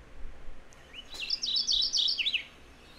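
Mourning Warbler song: a quick, rolling run of bright, chirpy paired notes lasting about a second and a half, over a soft background hiss.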